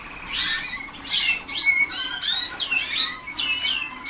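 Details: Waterslager canaries, young birds early in song training, 2010, producing rough buzzy chirps and quick slurred notes in close succession, over a low constant indoor hum.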